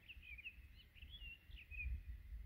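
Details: Townsend's solitaire singing high atop a dead tree in winter to defend its territory of juniper berries, with bluebirds nearby; a continuous sweet, rapidly warbling song of looping, rising and falling phrases over low wind rumble.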